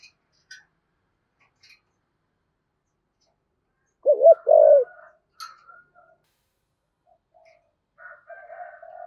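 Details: Decoy spotted dove in the "thổ" voice style gives one low phrase of a wavering double note and a longer coo, followed by faint soft higher notes.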